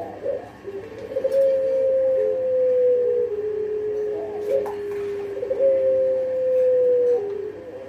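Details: Pelung dove, a caged bird kept for its long call, giving two long, steady, drawn-out whistled coos, each slightly falling and lasting about two seconds, with short lower notes between; faint room noise behind.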